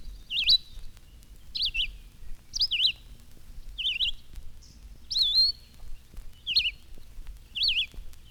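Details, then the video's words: A Red-eyed Vireo sings high in the trees in spring, on a 1954 Cornell recording: short, slurred robin-like phrases ("look up, way up") about once a second, each rising or falling, in a near monotone without stopping. "One bird singing by itself seems to say, look up, way up, treetop, see it, and so forth,"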